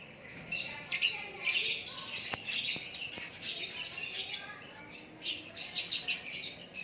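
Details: White-rumped shama delivering natural song, a continuous high twittering warble with a few faint clicks in the background.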